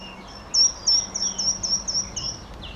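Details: A short-toed treecreeper at Boxberg, Genk, on 10 May 2013 gives a quick run of about eight very high, thin, piercing notes, roughly four per second, over a faint background hum.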